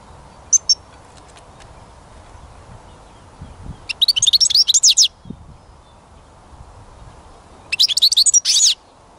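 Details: European goldfinch song recorded outdoors during songbird trapping: bursts of rapid twittering, tinkling high notes around 4 seconds and again near 8 seconds, with a few brief chirps earlier and a quiet rural background.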